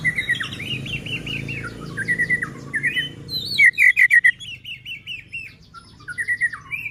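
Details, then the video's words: White-rumped shama song meant to stir other shamas into singing and aggression: repeated looping whistled phrases with a buzzy edge, over a low hum of background noise. "Murai batu gacor AMPUH buat PANCINGAN murai batu agar bunyi JADIKAN burung murai EMOSI"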